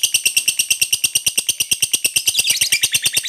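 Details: Fighter lovebird in lively form giving its long ngekek, used to draw answers from quiet birds: a rapid, even, metallic chattering of about eight notes a second, growing rougher near the end.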